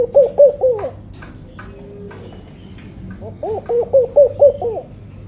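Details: Laughing dove, a tame bird, gives two bursts of rapid, rolling coos separated by a short pause; each phrase has five or six soft, rounded notes that rise slightly in the middle, over a steady low background hum.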